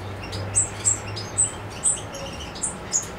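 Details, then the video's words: European goldfinch in Macedonia, 7 July 2011, repeats a sharp, very high note about twice a second over a low hum. "Suki Makedonski-Carduelis carduelis"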